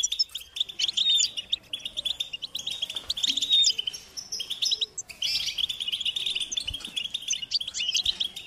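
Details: European goldfinch chicks give high-pitched, insistent food-begging calls to their parents, a steady chattering stream of rapid chirps from several birds, pausing briefly around the fourth second before resuming.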